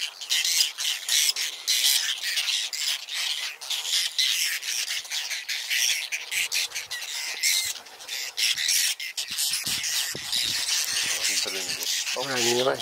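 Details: Whiskered terns at a nesting colony on water chestnut and lotus beds, Astrakhan State Nature Reserve, Russia, 22 July 2017, birds adjusting nests that still hold clutches; dense, continuous chorus of harsh, rasping overlapping calls, with brief male speech near the end.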